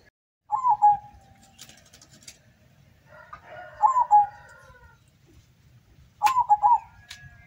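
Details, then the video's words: Zebra doves competing in a local singing contest in Semarang regency, Central Java; three bubbly cooing phrases roughly every three seconds, other doves singing faintly behind, with brief rustling noise. "AKSI PERKUTUT LOKAL DARU GACOR DOOR"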